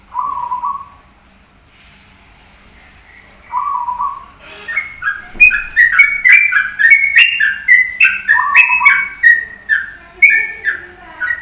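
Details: Zebra dove (perkutut) in a gacor masteran recording: soft low coos open the passage, then a busy run of bright whistled notes, stepped up and down and repeated rapidly, with sharp clicks scattered through.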